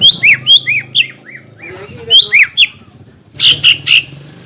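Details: Greater green leafbird singing as a provoking lure for rival leafbirds: clusters of bright slurred whistles, a few lower notes, a brief lull, then three loud harsh upswept notes; soft low hum underneath.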